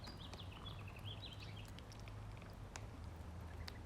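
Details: Fed ducklings chattering in a dense burst of high, piping peeps that rise and fall rapidly, then fade, leaving occasional clicks against a low droning background.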